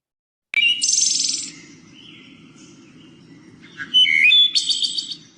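Wood Thrush song: flutelike phrases of a few clear notes, each ending in a high, shimmering trill. A low hum runs underneath.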